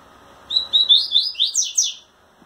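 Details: Caged Double-collared seedeater courting a female with trembling wings: about seven ringing, high whistles in quick succession, the later ones broader and slightly buzzy, closing in under two seconds.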